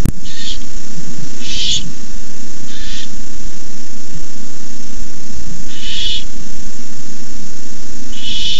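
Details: Owlets of the barn owl hiss at night while an adult delivers a rabbit to the nest, 18 May 2015; five scattered hisses of varying strength, irregularly spaced with a long gap mid-clip, over a low constant hum.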